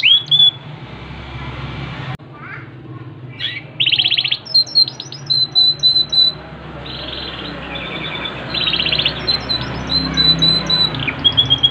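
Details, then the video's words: Yorkshire canary song with scattered sharp chirps and whistles, loud pulsed rolling trills, a long high whistle, and later softer trills and quick notes. "KENARI YORKSHIRE POSTUR MAKNYOS GACOR"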